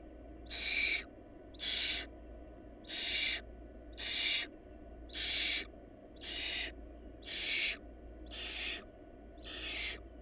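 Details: Nine breathy, rasping hisses from barn owl nestlings in a food-short family, repeated regularly about once a second, each roughly half a second long, over a faint hum.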